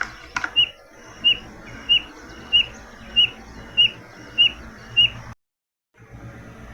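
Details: Spotted Nothura, a bird of open pastures across Brazil outside the Amazon, gives a steady run of eight short, high piping notes about two-thirds of a second apart, over a soft background hiss.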